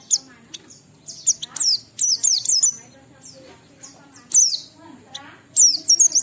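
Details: Oriental white-eye singing in clear ngalas style, played as a lure for other white-eyes: sparse bursts of thin, high slurred chirps with longer pauses, some quick warbled phrases, and a low murmur in the background.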